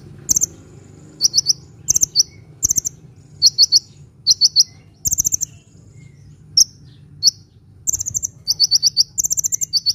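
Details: Sunbird in lively song, used for luring and for rousing quiet birds: rapid groups of high tinkling notes, alternating between two pitches, with pauses and a continuous low hum beneath.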